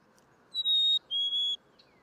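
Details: Black-capped chickadee spring song, the classic two-note fee-bee phrase: a clear, pure whistled high note held briefly, then a second slightly lower whistled note, against quiet background.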